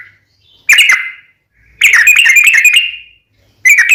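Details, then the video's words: Sooty-headed bulbul lure song: separate bursts of tumbling whistled notes with short silences between them. "SUARA trucukan gacor RAJA PIKAT tarung ropel panjang"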